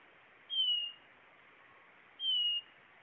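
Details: Blue-naped chlorophonia giving two clean, thin whistles that glide slightly lower, roughly one and a half seconds apart, over a hushed background.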